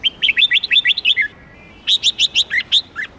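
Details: A red-whiskered bulbul pours out lively whistled song in two fast runs of bouncing notes, the second louder and ending with lower slurred notes, in otherwise quiet surroundings.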